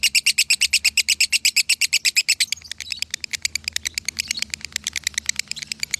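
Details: Konslet-style lovebird song from Salatiga, a bird scoring 8400 points: rapid loud string of high, clipped chirps, very regular, with a brief quieter stretch midway before the rattle resumes strongly.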